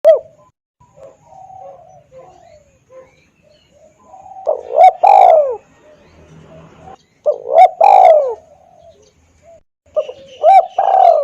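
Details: Spotted dove lure call used in hunting to draw wild doves, loud and clear: low cooing phrases of short arched notes ending in a longer falling coo, given about every three seconds, with faint chirps of other birds between.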